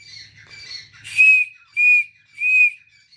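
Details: Grey francolin, known locally as teetar: after a short burst of rough noise, three clear, loud whistled notes follow, each about a quarter second long and spaced roughly half a second apart.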